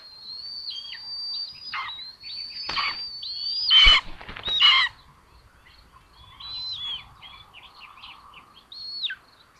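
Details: Two Common Buzzard chicks in their nest in Tiszalök, Hungary, sharing food on June 8, 2022, filmed by a solar-powered nest camera: high thin whistles sliding downward, repeated irregularly, broken by loud rustling bursts from movement in the nest.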